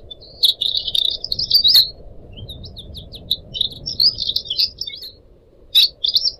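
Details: Pet pied triller song used as tutor material for young songbirds: a rich burst of buzzy chatter, a pause of scattered upslurred whistles, then more warbling chatter over a constant low trickle.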